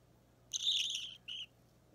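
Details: Three-week-old budgie chick at a hand-feeding session, 30 March 2017: one long, coarse, buzzing begging cry, then a short clipped squawk after a brief pause.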